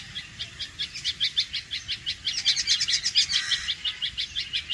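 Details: Alarm call of a red-vented bulbul, a rapid train of sharp, clipped notes about three per second, briefly thickened by extra overlapping chirps in the middle.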